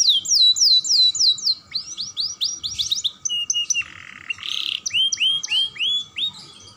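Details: Young canary song used to stimulate other canaries, delivered constantly: rapid high rolls of downslurred notes, then rising whistled syllables repeated about three per second, a short raspy buzz, and more upswept whistles.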